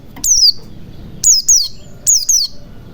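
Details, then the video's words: White-eye singing as a coaxing lure for silent birds: crisp high whistles slurring downward, mostly in quick pairs, repeated several times over faint background rumble. "pancingan pleci macet bunyi agar cepat gacor"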